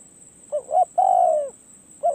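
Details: Decoy spotted dove at a perch: two quick soft rising notes followed by a long, smooth coo sliding downward, with the start of the next phrase at the end, over a constant high hum.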